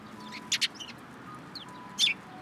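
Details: At a Tenmangu shrine on 21 March 2023, sparrows flock into a cherry tree; two sharp, high chirps sound close together, a softer note follows, and another strong chirp comes near the end.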